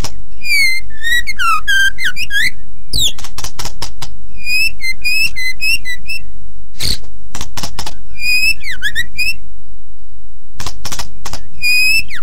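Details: Training song of a very active white-rumped shama: bursts of clear falling and rising whistles separated by loud sharp clicks and brief silent gaps.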